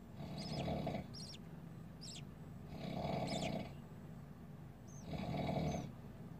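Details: Rough, hissing calls of newborn budgerigar chicks, three swelling bursts about two and a half seconds apart, mixed with sharp high descending chirps.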